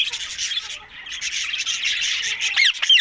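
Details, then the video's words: Green ringneck parrots, described as talking; rapid harsh squawking and chattering, with buzzy noisy notes packed closely together, ending in a few short sharp downward calls. "Talking Green Fanny Ringneck Mitthu Parrots"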